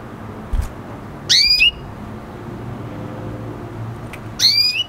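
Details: Red hooded siskin F1 hybrid with canary sings two loud, buzzy upswept whistles about three seconds apart, each a short rising slur with rich overtones, over a low hum.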